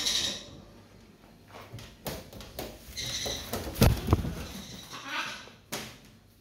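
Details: Macaws, possibly Harlequin, Greenwing and Blue-and-gold, give harsh, raspy squawks in irregular bursts, several overlapping, with scattered knocks and rustling between calls.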